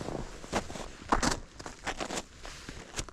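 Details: Footsteps crunch along an outdoor path with rustling and clothing noise, and the low hum of a distant vehicle; no animal voice is heard.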